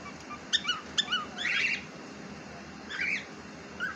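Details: Domestic cockatiel, a pet bird said to chatter, utters two quick clicky chirps followed by a longer buzzy warbled note and a softer whistled call a second later, with quiet room hiss behind.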